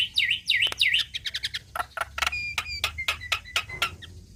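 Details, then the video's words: Energetic Javan myna song for training songbirds: three dipping V-shaped whistles, then a rapid uneven series of sharp clicks mixed with thin, level whistled notes. "Jalak Kebo gacor Mantap Suaranya"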